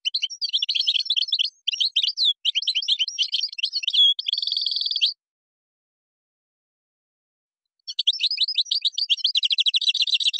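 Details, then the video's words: European goldfinch in Moroccan song style, with gazrat and srrr bertbertiu phrases. A long, varied run of sharp, high chirps ends in a buzzy rolling trill. After a pause, a new string of rapid metallic notes begins. "تغريد مغربي ڨازرات + سررر برتبرتيو canto jilguero marocco"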